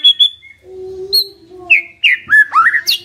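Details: Lure song of a white-rumped shama, meant to prompt a quiet bird to respond: a clear whistled opening, a long low steady note, then quick rising and falling fluty phrases.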